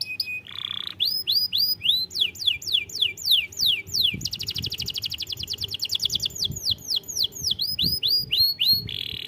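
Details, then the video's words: Canary song used to encourage young canaries to sing: a brief steady tone and buzz, then quick repeated downslurred whistles, a long rolling trill, and more whistled sweeps. "pancingan burung kenari muda cepat bunyi"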